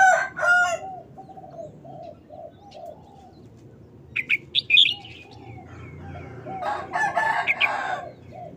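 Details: Caged red-whiskered bulbul showing off its singing style, a short wild-type song delivered in quick bursts: bright, warbled phrases around the middle and end, with a rooster crowing at the start and low background rumble.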